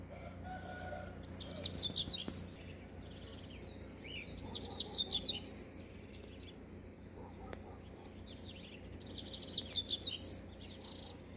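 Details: Double-collared seedeater song phrases repeated three times, each a dense burst of high, scratchy twitters lasting about a second, with soft whistled notes from another bird early on.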